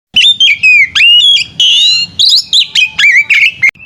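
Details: Oriental magpie-robin (kacer) song used as a tutor recording for training songbirds: loud run of clear whistled notes, slurred up and down, with short rasping bursts between phrases.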